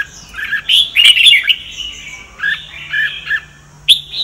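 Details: Red-whiskered bulbul singing in the Sông Kon style, a recording used to train the voices of other bulbuls. Bubbly phrases of rising and falling whistles come in two bursts, with sharp clicking snaps between them.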